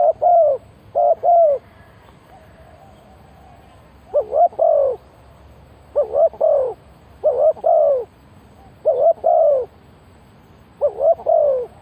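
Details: Decoy spotted dove calling to draw in wild doves: deep, throaty coos delivered in short pairs and triplets, each burst separated by a second or two of quiet, with faint background hiss.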